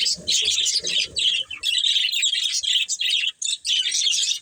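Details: Pet budgerigar breeding pair giving rapid, scratchy chirping chatter in bursts, with a lower murmuring sound mixed in over the first second and a half.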